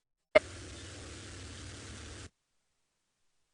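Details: A sharp click at the start, then steady hiss and static for about two seconds, then silence, with no animal voice.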